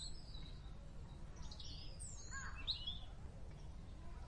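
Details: A wild merbah heard giving a few sparse high whistled notes and a short looping phrase midway, set against a persistent low-pitched noise bed.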